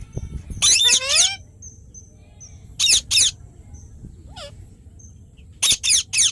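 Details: Ringneck parrot making loud, grating screeches in bursts of two to four, plus a short descending whistled slur. Quiet gaps separate the call groups.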